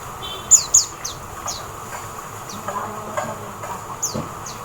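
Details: Oriental white-eye in the Philippines giving thin, very high chirps, short and slightly falling, scattered irregularly about half a second to a second apart over a soft, steady background hiss.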